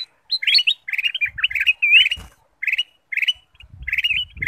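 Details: Ruby-throated bulbul singing a lure song to prompt other birds: clusters of quick, slurred chirps, one rising whistle in the middle, separated by short silent gaps, with faint low thumps.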